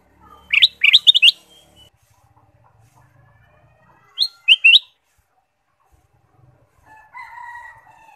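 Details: Kutilang emas, the ruby-throated bulbul, in a lure recording for caged birds: rapid bubbling phrases of three to four notes, a pause, then a shorter three-note phrase, ending with a softer drawn-out whistle.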